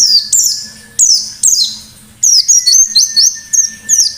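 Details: Energetic white-eye forest-style song: repeated high swooping notes that drop sharply, some phrases linked by a thin sustained whistle, delivered in quick succession.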